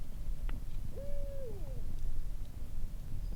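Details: Barred owl heard at night at a forest campsite with a low near 34 degrees: one drawn-out hooted note, level then sliding down, over a low rumbling background, with a faint click before it.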